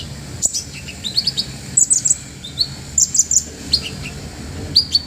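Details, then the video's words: Olive-backed sunbird recorded as a master song for other birds: spaced, thin, high chirps and short sharp doublets, evenly scattered over a faint background hum. "MASTERAN KONIN GACOR FULL ISIAN MEWAH KOMPLIT BUAT TERAPI BURUNG LAIN"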